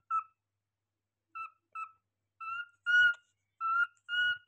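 A cockatiel gives clear, short whistled notes, single and paired, some slurring slightly upward.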